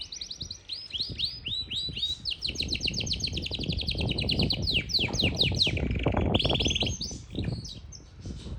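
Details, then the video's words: Yorkshire canary singing in Parachinar: a long, loud run of rapidly repeated high notes in rolling trills, shifting through several tours including a steady buzzy tone, over low background noise. "Yarkshiere Canary Singing |Most Powerful Yarkshiere Canary Singing Bird |Singing Canary Bird"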